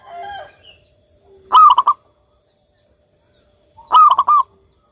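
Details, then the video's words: A local zebra dove in strong song, meant as therapy to restart other doves' singing, gives two short, bubbling cooing phrases of quick, soft rolled notes about two seconds apart, after a faint earlier call. "perkutut lokal gacor"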